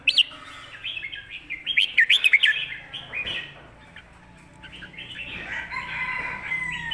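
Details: Loud, golden-voiced red-whiskered bulbul singing southern Thai master-style song, with quick clipped warbling notes packed into a fast run, a pause, then overlapping whistled phrases and a long sliding note near the end.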